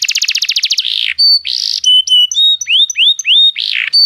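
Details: Canary song meant to prompt a silent canary into singing: a fast, buzzy trill, then a run of high whistled notes, rising slurred phrases and harsh bursts, all clear and loud.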